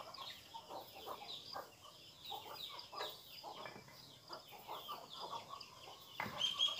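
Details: Newborn bulbul chicks being fed by a parent beg with rapid, scratchy chirps repeated several times a second. A brief clear whistle sounds near the end, over a steady background hiss.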